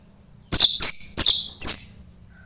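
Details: Orange-headed thrush singing, played to prompt another bird to sing: three bright, very high whistled phrases, each with a clear upward-sliding note, spaced about half a second apart in near silence.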